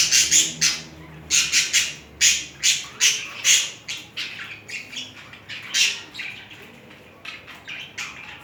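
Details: Budgerigars mating, with romantic movements between the two: a series of sharp, harsh squawks in quick groups, growing softer and sparser toward the end.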